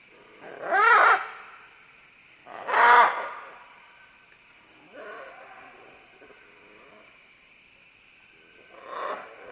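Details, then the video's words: Several green-winged macaws working their way down vines, calling: two loud, harsh, rasping squawks about two seconds apart, then softer grating chatter and a final, fainter screech. "Green-Winged Macaw. MCU - MD Calls From Several As They Descend Along Vines To"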